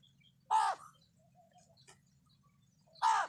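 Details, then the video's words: A crow calling loudly in a village in Maharashtra, India: two harsh, loud caws about two and a half seconds apart, with a low steady hum in the background. "तुम्ही कधी कावळ्याचा आवाज ऐकला नसेल तर पहा, कावळ्याचा आवाज असा असतोय."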